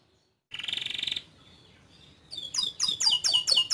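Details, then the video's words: Canary giving a short buzzy trill, then a brief pause, then a loud series of sharp, downward-sweeping chirps repeated quickly. "Suara Burung Kenari Gacor Panjang Cuit Cuit Teerrrr"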